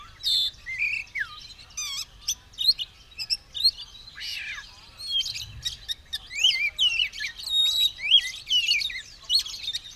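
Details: An Oriental magpie-robin in fighting readiness, tail spread, giving a lively song of rapid ticking notes, scratchy trills and bright whistles over ten seconds.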